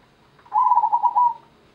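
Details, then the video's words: A local perkutut, the zebra dove, gives one song phrase of about one second: a soft, trilling coo of quick pulsed notes held at a steady mid pitch, with a quiet background. "IRAMA PERKUTUT GENDOWO SABDO (ORIGINAL LOKAL ALAM)"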